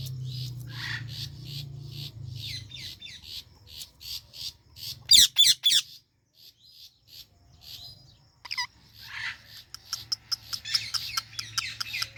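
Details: Indian ringneck parakeet calling alongside Alexandrine parrots: soft rhythmic chirps for about four seconds over a low hum, a burst of loud harsh screeches near the middle, a quiet gap, then rapid chattering chirps.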